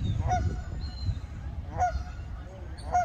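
Canada geese give loud, nasal honks, three clear ones about a second and a half apart, over a low rumbling background.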